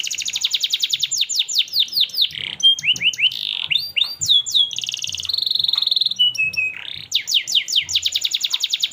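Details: Canary singing a long, lively training song meant for young canaries: fast repeated descending sweeps, rapid trills, buzzy rattles and clear whistled notes at high pitch, phrases changing every second or so, continuous without pause.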